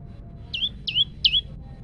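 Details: Three quick, shrill downslurred notes from a male olive-backed tailorbird, recorded on a phone for use in training other tailorbirds.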